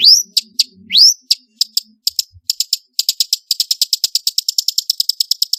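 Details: Long-tailed shrike singing varied fill-in phrases, suited to stimulate shrikes that rarely sing; two rising whistles open, followed by an accelerating series of sharp repeated ticks, with faint low rumbling early on.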